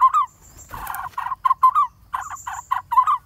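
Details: Lineated barbet chick in a tree-hollow nest in a dead durian tree, near fledging, calling as parents feed it; short harsh nasal notes in uneven bursts, separated by brief pauses.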